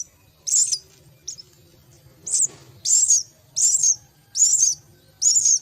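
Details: Myna chicks begging as they are fed at the nest: loud, rasping hissy bursts repeated roughly every three-quarters of a second, seven in all, against near silence.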